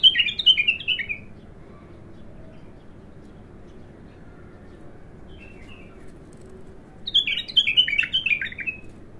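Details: A raw bulbul singing for the first time gives two short bursts of fast, twittering chirps about seven seconds apart. Faint softer notes come in the gap, and there is a low background hum.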